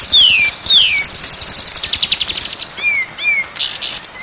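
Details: A white-rumped shama sings on a recording meant to train birds into constant singing, day or night: two long downward-sweeping whistles, a steady rapid buzzy trill, then paired short slurs and bright high bursts.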